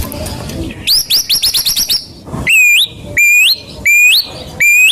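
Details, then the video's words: Lure song of a white-rumped shama: a quick series of eight high chipping notes, then four or five loud, sweeping, upslurred whistles spaced about half a second apart. "Pancingan Murai Batu"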